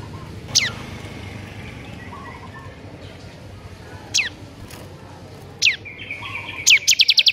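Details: Bar-winged prinia giving single high notes that slide steeply downward, spaced well apart, before a rapid stuttering burst of chirps at the close, over a hissy background.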